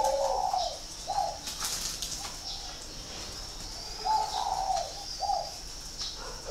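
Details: Spotted dove from northern Vietnam, kept at a bird farm in Ba Vì, Hanoi, prized for good cooing; low soft coo notes in two groups separated by a pause, over steady hiss and a high whining insect-like background tone.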